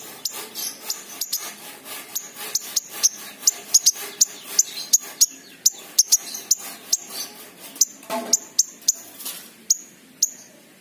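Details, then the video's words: King konin chirping as a lure recording meant to stir a raw, sing-reluctant bird; thin, very high chips repeat steadily, about two or three each second, some doubled, over a quiet background. "pancingan King Konin bahan | malas bunyi | macet"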